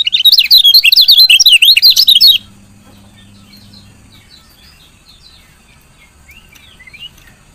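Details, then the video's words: Female lemon-bellied white-eye giving a rapid burst of high, thin chirps for two seconds, then faint scattered chirps over a low hum. "CIAK KECIAL KUNING BETINA"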